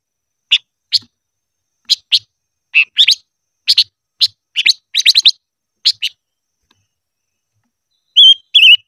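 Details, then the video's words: A silver-eared mesia sings during voice training. High chips, often in fast clusters, run for about six seconds, then a short silence and a brief warbled whistle. "Chim ngũ sắc hót hay luyện giọng - ngũ sắc hót ché"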